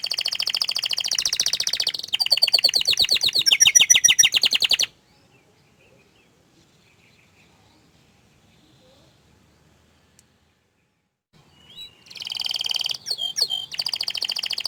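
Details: Canary singing fast buzzy trills for about five seconds, followed by a long silence, then the bouncy trilled song resumes with sharp chirps near the end.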